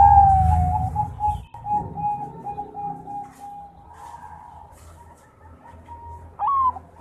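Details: Zebra dove of the Bangkok type, a champion bird in full song: a long, steady, clear whistled coo holding one pitch, with a brief rising note near the end and a low rumbling hum underneath.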